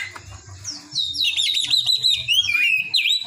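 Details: Oriental magpie-robin song containing cinereous tit imitations: rapid high scratchy trills and slurred whistles, a swooping note near the end, over low rhythmic background thumps.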